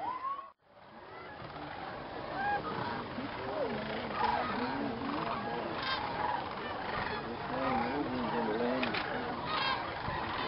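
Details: Thousands of wild Sandhill cranes gathering at dusk in a viewing field at Jasper-Pulaski Indiana State Fish and Game Preserve before roosting in the swamp: a dense chorus of overlapping rolling, trumpeting calls after a brief dropout at the start.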